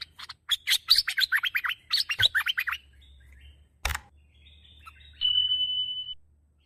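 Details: Bulbul (merbah) for luring: a fast series of sharp, scratchy chirps lasting a few seconds, then quiet, a single sharp click, and a long, steady, high pure whistle at the end.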